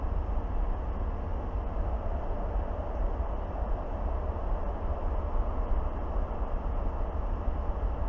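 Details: Deep, steady rumble of wind buffeting the microphone at an outdoor nest site, with no animal call heard.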